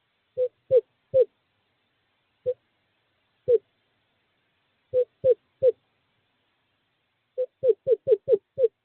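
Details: On 2/11/2023, in courting season, a male screech owl calls his mate to an owl box: sparse, hollow toots, scattered singly and in small clusters, ending in a faster run of six.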